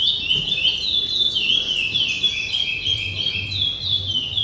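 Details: A curió, or chestnut-bellied seed finch, delivering an unbroken rapid stream of bright, rolling whistled notes that rise and fall, about three phrases a second, over a soft low hum.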